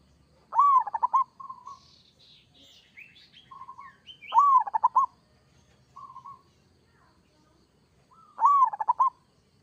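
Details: Zebra dove of local stock in lively 'kerot' song: three phrases of an arched coo with a rattling staccato tail, separated by short level coos, while another small bird chirps thin, higher notes in between.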